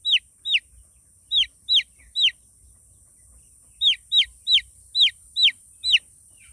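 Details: Chicks peeping: clear, high, downward-slurred cheeps in loose clusters of two to six, with a quiet gap near the middle and a steady high hiss behind.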